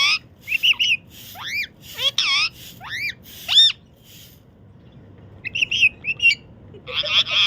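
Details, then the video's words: A pet parakeet chatters in bursts of steeply rising and falling whistles mixed with harsh, buzzy squawks, pausing briefly midway, over a faint low room hum. "আমাদের টিয়া পাখিটা কি বলছে কে জানে।"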